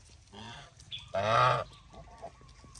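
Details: Geese on a farm: one loud, drawn-out, harsh honk, with a softer nasal call just before it and quiet background noise.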